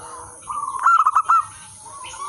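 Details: Local zebra dove, a wild-type bird singing actively, used as a lure and song tutor for other zebra doves; one short phrase of quick, clipped cooing notes in a tight burst, over a steady background hum.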